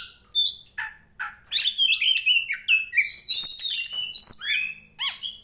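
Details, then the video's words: Oriental magpie-robin (Copsychus saularis), a fighting bird in full song: a rich, varied run of clear whistles, sweeping slurs and scratchy notes, delivered in quick bursts with short pauses. "SUARANYA BIKIN POCI KACER MANAPUN EMOSI Kacer teapot bird(Copsychus saularis)"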